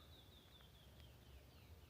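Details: Canyon Wren in Arizona around 8 a.m., identified with an app, giving thin, high whistled notes that slide steadily down the scale, fairly faint over a steady low outdoor rumble.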